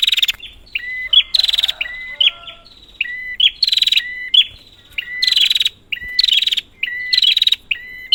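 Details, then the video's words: Prinia lure call to set silent prinias calling: fast rhythm of buzzing rattles alternating with paired whistled notes, with faint lower twittering from another bird early on. "Prenjak, Pancingan ampuh untuk burung prenjak macet"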